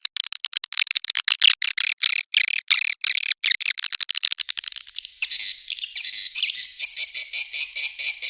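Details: Swiftlet lure sound called Tombak Raja, meant to attract the birds: fast, closely spaced high chirps in a regular stuttering series, merging after five seconds into a denser, continuous shrill twittering chorus.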